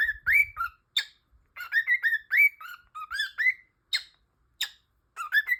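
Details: Cockatiel (Nymphicus hollandicus), whistled calls.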